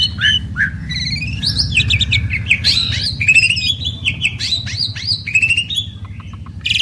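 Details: A pair of prized Asian pied starlings duetting, with varied whistled slurs, squeaky rising notes and rasping bursts over a steady low hum in the background.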